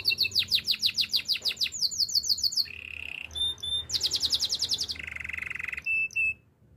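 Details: Spanish Timbrado canary song used for training: quick repeated downslurred whistles, a brief lower buzzy roll, high thin notes, a dense bright trill, then a longer low buzzing roll and a final short whistle.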